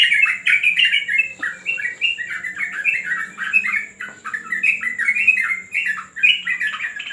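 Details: Steady, lively chatter from a yellow-vented bulbul in terrace training, short warbled notes tumbling one after another almost without break.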